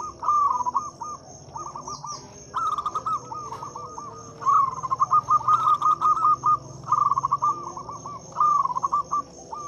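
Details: Local zebra dove singing loudly to stimulate silent doves: repeated phrases of rapid, clipped cooing notes running almost throughout, with a steady shrill insect background and a faint chirp.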